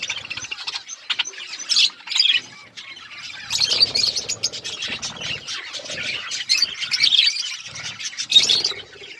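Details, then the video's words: Budgies keep up a busy, high-pitched chirping and warbling chatter during feeding, several birds calling at once with short pauses. "Budgies chirping sounds and eating food"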